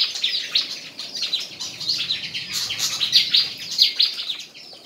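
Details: White-throated fantail in a singing contest, Tân Qui, Củ Chi, Vietnam; rapid bright chirps and short squeaky slurs pour out about ninety times a minute, rising in loudness toward the end.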